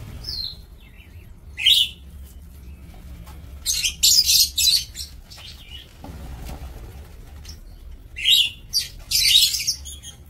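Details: Lovebirds in a breeding aviary, recorded 2 October 2024, produce scattered squeaky chirps and dense bursts of shrill chattering, with a faint low hum in the background.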